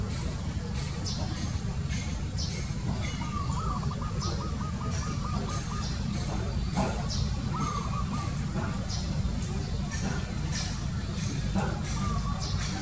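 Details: Zebra dove repeating quick stuttered coo notes in a long series, then a shorter burst, heard through loud, steady low-frequency noise and scattered ticking sounds.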